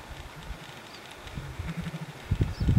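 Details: Displaying male sooty grouse at Hemlock Ski Resort on 9 June, calling and fighting a clucking rival: deep, muffled low hoots and pulsing notes, with heavier thumps near the end; faint high chirps far above.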